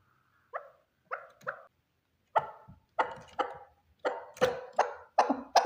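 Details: One male partridge beginning with soft, spaced notes, then building into a louder, faster series of harsh chuck calls.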